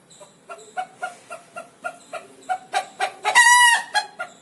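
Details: Scared pet rooster giving its alarm: rhythmic clucks repeated roughly every quarter second, growing steadily louder, ending in a long, loud, raspy squawk.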